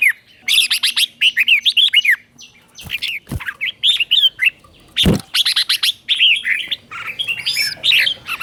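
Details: Red-whiskered bulbul teacher song in the slow, clear doubled style, played so young birds copy it: bursts of bright warbled whistles, rising and falling, broken by sharp clicks and brief gaps, with a faint low hum underneath.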